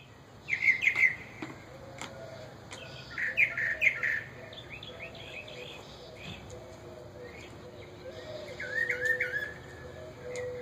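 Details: Mockingbird pair in a backyard, noisier now that their babies are out of the nest; short harsh chattering bursts near 0.5 and 3 to 4 seconds, then scattered calls, with a faint low steady whistle underneath.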